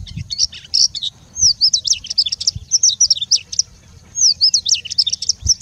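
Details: Bushlark singing and mimicking: quick high slurred whistles, rising and falling sweeps and chattering notes in two dense bursts separated by a short pause.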